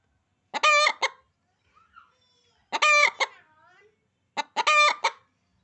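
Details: Hen giving harsh, rapid clucking bursts, three in all, with faint softer chirps from other birds, possibly chicks, heard between them.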